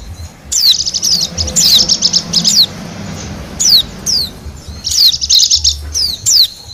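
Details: Wild Bali white-eye song used as a lure for wild birds: bursts of rapid, high, scratchy chirping trills alternating with quick downslurred whistles, in about three phrases separated by short pauses.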